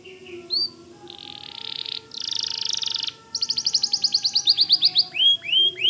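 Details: White canary in full, energetic song, offered as tutor song for White-rumped Shamas: faint notes give way to a dense buzzy roll, a pause, then a fast rhythmic pulse series ending in bright upswept whistles.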